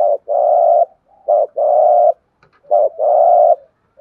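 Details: Spotted dove giving cooing in the thúc gù style: three phrases, each a short clipped note followed by a long steady low coo, repeated about every 1.4 seconds in a quiet setting.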